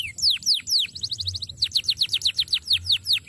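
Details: Canary in a master song recording: a few loud falling whistled slurs, then a fast even series of short dropping notes repeated about four times a second.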